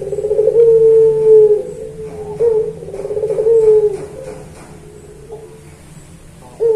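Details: Puter pelung dove performing its training song: two rolling low coos, each ending in a long steady hoot, separated by softer murmuring notes.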